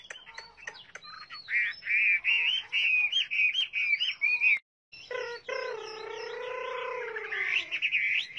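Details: Chinese hwamei singing: a rapid run of clear whistled phrases near one pitch for about four seconds, a brief pause, then a drawn-out nasal, harmonic-rich note with a wavering top and quick notes overlaid.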